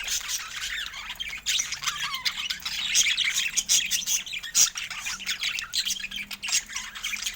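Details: Pet budgerigars keep up a dense, continuous chatter of high, scratchy warbles, squeaks and clicks, with no pauses and many overlapping notes.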